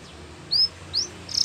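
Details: Canary giving a few short rising whistled notes, spaced apart, ending in a brief fast trill, against faint low background hum.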